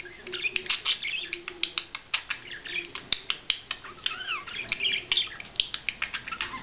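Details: Courting budgerigar producing a steady, rhythmic series of dry clicks several times a second, woven with warbled chirps and a down-slurred whistled note.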